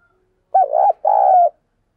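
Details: Decoy spotted dove calling hard to entice wild doves, a 'thúc' song: a rolling two-part coo followed after a brief pause by a long, level, slightly descending coo.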